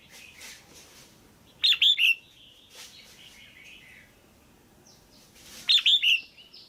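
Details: Caged female red-whiskered bulbul calling to rouse a male or to pair up: a quick cluster of three bright, high chirps, quiet faint twittering, then a second matching three-note burst.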